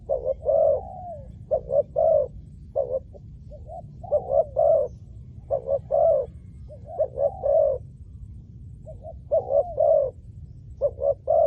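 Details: Spotted dove used as a decoy for luring wild doves. It gives mid-pitched cooing phrases, short notes then a longer slurred coo, repeated irregularly for about eleven seconds over a faint low background rumble.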